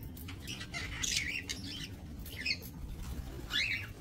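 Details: Budgerigars kept for breeding in a minimalist aviary, 28 November 2024; quieter scratchy squawks and downward-sliding chirps in three or four separated bursts, above a rumbling low background.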